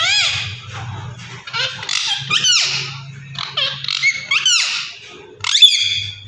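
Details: Pet Indian ringneck parakeet, playing and talking, chatters in squeaky, sliding, speech-like notes, some rising sharply, with a brief shrill squawk near the end over a low indoor hum.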